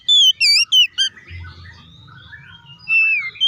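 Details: Oriental magpie-robin singing to provoke other magpie-robins: three loud, clear whistled notes with ringing overtones, a short pause with faint low hum, then one long sliding whistle.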